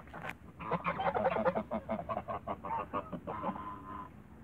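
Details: Toulouse geese in a backyard give a run of short, harsh honks in quick succession, rising to a busier burst of calls in the first second and a half before tapering into scattered, nasal notes.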